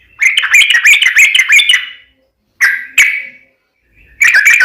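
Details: Yellow-vented bulbul in fighting-style song, meant to set off an answer from a kept bird: a fast burst of bright, bouncing whistled notes, then silence, two short loud notes, and another quick bubbly phrase at the end.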